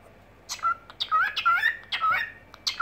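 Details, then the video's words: Cockatiel singing indoors in the evening: loud raspy chirps, each followed by a short level whistle, in uneven bursts over three seconds. "Вечерние распевки"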